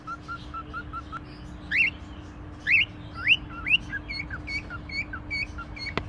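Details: A caged cockatiel at a pet shop in Konya, Turkey, gives a run of short soft whistled notes, then louder rising and falling whistled phrases with a sliding up-and-down pattern; a steady low hum underneath.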